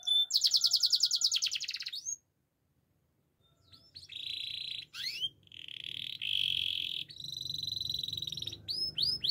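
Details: Gloster canary singing: a fast, high, rattling trill for two seconds, a short silence, then long buzzy rolling tours held at one pitch, ending in quick upward-swept whistled notes.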